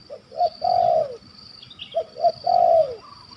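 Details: Wild spotted dove in Malaysia, targeted by bird hunters, with a big voice in the 'kuk 1 2' style. Two low phrases, each of two short coos and then a long, drawn-out, falling coo. A steady high insect-like hum runs behind.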